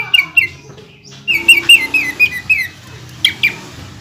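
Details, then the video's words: Greater green leafbird in captivity, singing to provoke rivals: mixed chirps and a quick series of slurred, ringing notes, followed by a couple of sharp calls against a low hum. "CUCAK IJO GACOR BONGKAR ISIAN DAN TEMBAKAN RAPAT BIKIN CUCAK IJO KALIAN EMOSIAN"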